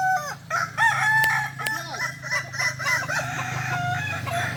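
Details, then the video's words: Overlapping Kokok Balenggek cock crows at a Sunday contest final in Ampang Kualo, Solok: continuous wavering, multi-syllable crowing from many birds over a steady low rumble, with two sharp clicks. "latberan ayam kukuak balenggek"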